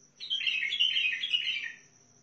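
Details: A bulbul from Al-Faw, Basra, gives one quick, rich warbled phrase of bubbling, mid-high notes lasting just over a second, with a faint steady high hiss behind.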